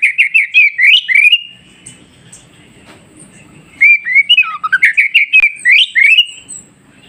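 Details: An Oriental magpie-robin sings, played to get newly caught wild magpie-robins to answer quickly. It gives rapid bursts of sweet, varied whistles and chirps, with phrases tumbling up and down, broken by a pause of a few seconds.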